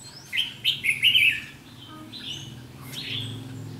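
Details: Decoy-trap recording from 7 July 2016 of a red-whiskered bulbul's challenging 'ché' song: a rapid run of four loud, rich warbled notes, then quieter phrases over a low steady hum.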